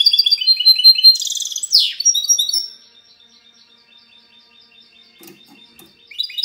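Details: Clean 'cante limpio' singing of a goldfinch hybrid, 19 March 2020: fast high chattering trills, then a buzzy downward sweep, fading into near silence for several seconds before a brief new twitter at the close.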